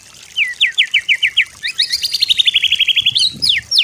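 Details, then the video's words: White-rumped shama master song used for training birds to copy: a run of quick, sharp rising notes, then a long, fast, even trill that slides slightly upward and ends in a few bright strokes. "MASTER MURAI BATU YANG GAMPANG DITIRU, DI BANDING BURUNG MASTERAN"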